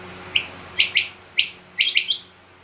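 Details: Female rain quail calls, part of a mixed quail calling recording: a few brief, bright, high notes, some doubled or tripled in rapid succession, separated by short pauses, with low background hum.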